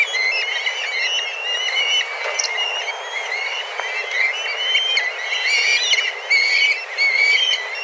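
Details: Black kites in a flock of several dozen, wheeling and calling intensely for food at a set daily time; many thin whistled mews with harmonics overlap, plus brief sharp clicks.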